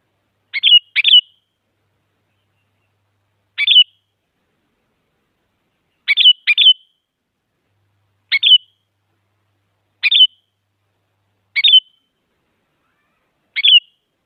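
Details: Female sooty-headed bulbul calling for a male, used as a lure to make quiet bulbuls sing: about ten short chirpy phrases over fourteen seconds, sometimes in quick doubles, irregularly spaced, no other sounds.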